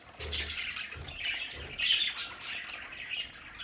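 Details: Soft, warbling chatter from pet budgerigars in their home play area, a murmur of scratchy notes with a few brighter chirps and faint low sounds beneath.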